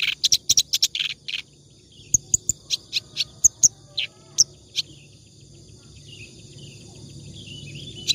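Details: Clamorous reed warbler singing nonstop (ngacor), used as a tutor song for training other birds: loud harsh chattering bursts for about a second and a half, then scattered sharp high notes and short phrases with quieter gaps.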